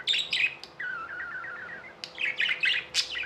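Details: Tamed budgies singing: two sharp chirps, then a long, soft, wavering warble, followed by a dense cluster of high scratchy chirps and squeaks, all in a quiet room.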